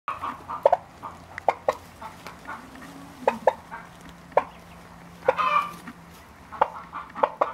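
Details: Ten-day-old turkey chicks calling with short, scattered peeps and chirps around a mid-high pitch, some in quick pairs, over a low steady background hum.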